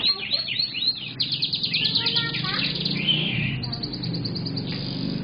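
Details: Young canary in continuous song: fast rising and falling sweeps lead into rapid high trills, then a long buzzy note and a quick series of clipped high pips, over a low background hum.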